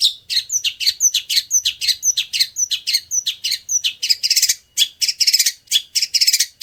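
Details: Training song of a long-tailed shrike, old-style, labelled as full 'greja' material: a quick series of thin, high chirps and slurred whistles, ending in harsher, buzzy bursts, with no background noise.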